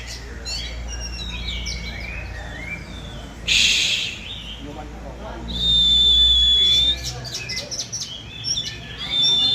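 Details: Oriental magpie-robin, eight months old, singing outdoors in the field: varied high whistled phrases and chirps, with long pure whistles held steady near six seconds and at the end, over low background rumble.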